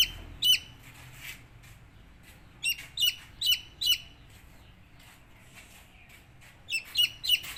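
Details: Young chickens give scattered high, falling peeps in small clusters separated by quiet gaps, with soft shuffling noise in the background.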